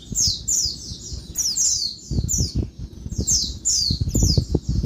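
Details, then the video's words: Female Oriental white-eye calling noisily at midday, used to stir lazy males into calling; high, thin, descending squeaky notes in quick bursts, with low thumping knocks and rustling underneath. "Bird Pleci Betina Suara Ribut bikin Bird Jantan Gacor (siang)"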